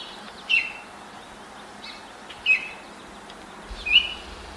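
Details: Baltimore oriole singing at sunrise, 5:40 am on 10 May 2024, in a neighbour's apple tree while hopping between branches and pecking, gives three short, clear whistled notes about two seconds apart over a soft background hiss.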